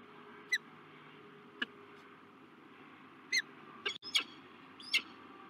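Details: Peregrine falcons at a nest site in La Crescent, USA, on 16 March 2023, as a male meets a new female: short sharp harmonic calls in scattered bursts, several quick notes near the end, over steady low hum.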